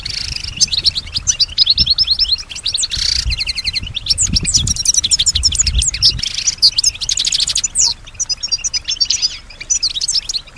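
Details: Female European goldfinch singing with strong stimulation, answering surrounding sounds: long continuous stream of rapid high twitters, trills and buzzy notes, briefly louder and dense early, with low background rumble.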